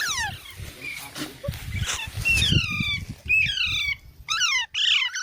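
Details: Baby parrots repeating short, harsh, downward-slurred squawks in loose succession, with low rumbling noise beneath and a buzzy burst near the end.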